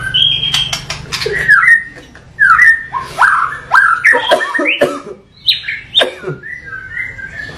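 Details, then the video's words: White-rumped shama song of loud whistled slurs and harsher rasping notes in short separated phrases, varied pitch, mostly mid-range. "MURAI BATU Full Tembakan Variasi Kasar Mewah"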